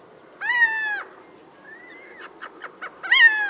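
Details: A Little Owl in the Ryazan region, Russia, a bird of open spaces and livestock farms, gives two loud, nasal, cat-like mewing calls about two and a half seconds apart, with a soft rising whistle and short yelps between.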